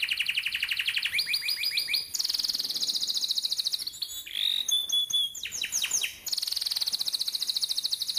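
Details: A canary sings a training song for young canaries: a fast, continuous song of rapid rolls and trills, switching between buzzy low tours and high, ringing whistled phrases.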